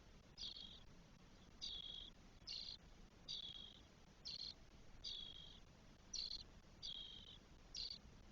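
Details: Four spotless starling nestlings, 12 days old, in a nest in Spain, June 2022. Nine scratchy, buzzing hiss notes, alternating short and longer ones, come at uneven intervals of about one second.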